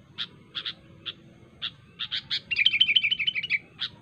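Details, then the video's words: Sooty-headed bulbul recorded in the wild, singing sharply to call rivals. Spaced bright chips come first, then a fast, rippling trilled phrase near the end, followed by one last chip, over a quiet background. "suara burung kutilang gacor asli alam tanpa isian"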